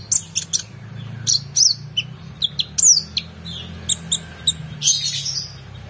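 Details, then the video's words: Vigorous oriental magpie-robin song meant to train competition birds: varied high whistles and sharp downslurred notes in irregular phrases, some harsh and buzzy, against a low constant hum. "KONIN GACOR EMOSI FULL BONGKAR ISIAN MEWAH‼️Cocok Untuk Masteran Burung Lomba"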